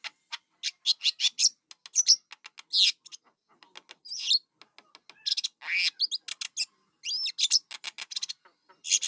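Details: Young starlings give a dense jumble of short, harsh chirps and hissing rasps, irregular and very high, in uneven bursts with brief pauses.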